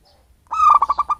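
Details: Native-habitat zebra dove, not a bred bird, cooing a lure phrase: a sustained opening note followed by quick evenly spaced throbbing pulses, cut off at the end.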